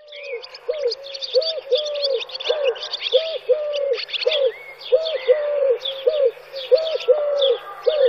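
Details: European turtle doves in Wittlich, 2017: low purring coos in short-long-short groups, repeated steadily for eight seconds beneath busy high chirping and twittering from other songbirds.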